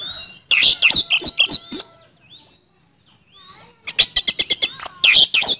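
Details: Vigorous kacer (Oriental magpie-robin) lure song with rapid-fire delivery: a dense run of sharp chips and trills, a brief quiet gap with faint slurred whistles, then another fast burst of high clicking notes.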